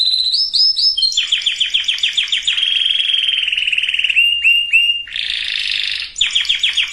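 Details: Canary singing to prepare males and females for breeding. Brisk high rolls and a long even trill, short whistled notes, then a harsh buzzy burst, and rapid rolling notes return.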